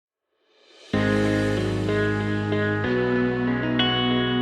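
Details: Soft ambient music with sustained guitar-like chords enters after a brief silence, and no animal is heard.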